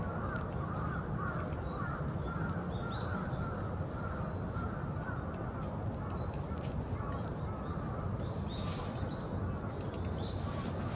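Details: Wild Yellow-throated bunting at the former heliport of Osaka Castle Park, giving short, sharp, very high call notes about five times, spaced irregularly a second or more apart, over a steady low city rumble with faint mid-pitched calls of other birds.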